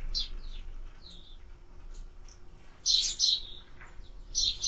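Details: Sparrows calling at a bird feeder, caught on a bird camera: scattered short high chirps and a few louder, harsher bursts later on, against a quiet background.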